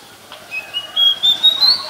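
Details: Whistled phrase from an Oriental magpie-robin, very common resident of Ubon Ratchathani, Thailand, taken 7 January 2021 on a Nikon P1000: short pure notes climbing gradually higher in quick succession.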